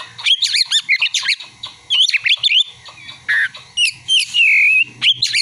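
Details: Oriental magpie-robin singing with mimicked prinia and sunbird material: quick bursts of bright, varied chirps and whistles, a buzzy low note, then a long wavering whistle, delivered nearly nonstop.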